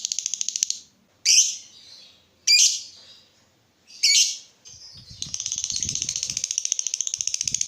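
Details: Lovebird in lively song, used as a master recording for training other lovebirds: three sharp squawky chirps spaced about 1.3 seconds apart, then a long rapid buzzy chatter of fast repeated notes.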